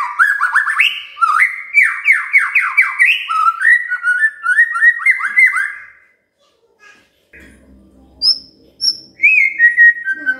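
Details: Magpie-robin song aimed at stirring a quiet bird into song: rapid sweeping whistled phrases for six seconds, a pause with faint low rumble, then a few high chirps and a final whistle.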